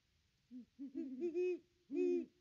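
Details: Great horned owl at the nest tree, recorded by nest cam on 25 December 2021 while the pair visited: two soft short hoots build into a longer, louder drawn-out hoot, then a pause and one final strong hoot.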